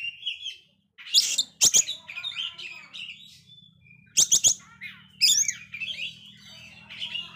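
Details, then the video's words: Magpie-robin in failed moult, singing nonstop as a stimulus for low-spirited magpie-robins; jumbled chirps and scratchy notes punctuated by loud harsh bursts, with a faint low hum behind. "Kacer gagal mabung ini sangat gacor sekali Cocok Untuk mancing Mental kacer drop"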